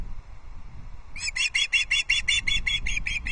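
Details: Osprey chicks squabbling over a fish delivery at a nest cam in the Scottish Highlands, Loch Arkaig; after a quiet second, rapid shrill piping notes repeat about three times a second, harsh and bright, over low wind rumble.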